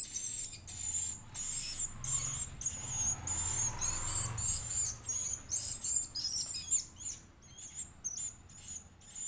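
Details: Edible-nest swiftlet chick being fed, begging with rapid, shrill, high-pitched chirps and buzzy twitters in uneven bursts. A soft low rumble sounds in the background around the middle.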